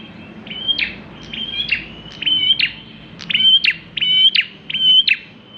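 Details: Bar-winged prinia singing strongly, a song meant as a lure for other birds: a run of about nine high whistled phrases, each a steady note broken by a sharp descending chip, growing louder toward the end.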